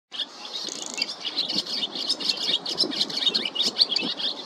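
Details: Barn swallow young in California begging to be fed: a busy stream of thin, high, overlapping chirps and twitters, roughly two a second, with nothing else clearly heard behind them.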